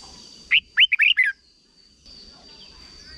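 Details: Red-whiskered bulbul from Thailand giving a short 'berl' style song, played for young birds to learn and copy; one quick burst of four or five rich, warbled whistled notes under a second long, then quiet with a faint steady high whine.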